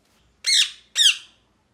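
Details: Parrot gives two loud, grating, downward-bending screeches about half a second apart, close and clear against a quiet room.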